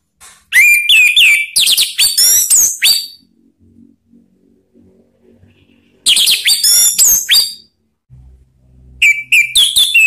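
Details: Orange-headed thrush, a calling bird played to draw others into open song. Two loud, rich phrases of varied whistles, slurred notes and quick chips are separated by a few seconds of near silence, and a third phrase begins at the end.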